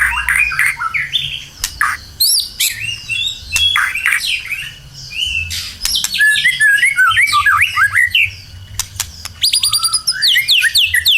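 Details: Constant, lively white-rumped shama song used to lure other birds into singing: varied whistles, squawky notes and rapid chattering trills, with crisp clicks between phrases and a fast buzzy series near the end.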